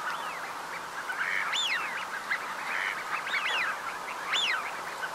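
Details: A flock of Eurasian wigeons at Uitkerkse Polder, Belgium, in January 2017 gives clear rising and falling whistles, overlapping every second or so over a soft chatter of other calls.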